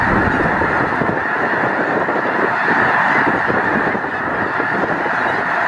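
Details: Over a million wintering Snow Geese at Loess Bluffs refuge, 21 February 2020: countless overlapping honks blend into a thick, restless din with irregular bursts of calling throughout.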